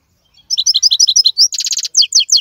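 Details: Wild goldfinch of the 2022 season: after a brief silence, a burst of clear paired chirps, a dense buzzing rattle, then crisp spaced twitters, loud and clean with no background noise.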